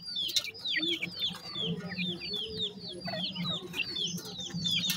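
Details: Young grey francolin chicks feeding in a group; rapid, overlapping high peeping, each note a quick downward slur, repeated continuously over a low background hum.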